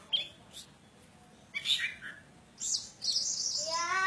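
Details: Oriental magpie-robin, a Javan bird kept in a cage, singing persistently: bright whistled and chirping phrases, short bursts then a sustained stretch of rich, high warbling near the end.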